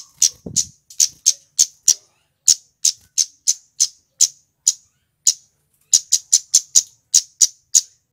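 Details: Male scarlet-headed flowerpecker lure song: long series of sharp, very high ticking 'cit' notes at uneven spacing, with a quick cluster near the end and one faint low thump early on.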